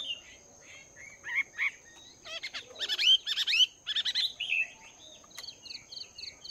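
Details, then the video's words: Chinese hwamei, wild-caught and caged for two months, practising its song in the morning: mixed scratchy and ringing notes build into a loud burst of rich, tumbling phrases, then thin high whistles. "Chim Hoạ Mi Mộc VIP 2 Tháng Lồng Luyện Giọng"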